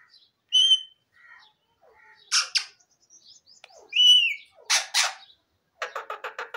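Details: Parrots mix clear whistled notes, a bright sliding whistle and harsh squawks, ending in a quick run of rapid, clipped chattering notes.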